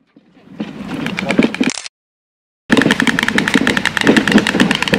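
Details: White storks in a zoo aviary (Silesian Zoological Garden) clatter their bills in fast, dry, rattling bursts like wooden knocking, broken by a brief silent gap; storks are nearly voiceless and communicate this way. Faint background noise.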